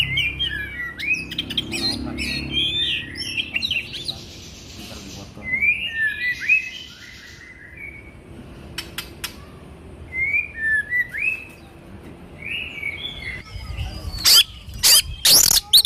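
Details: Oriental magpie-robin song played for training and therapy in the morning and evening: scattered short whistled and chattering phrases, some rising slurs, with clicks, a hissing noise band and loud broadband knocks near the end.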